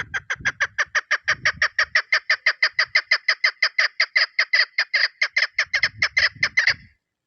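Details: Long unbroken string of over thirty rapid chuk notes from a female chukar partridge used as a hunting lure, delivered at a steady pace, with occasional low thumping noises underneath.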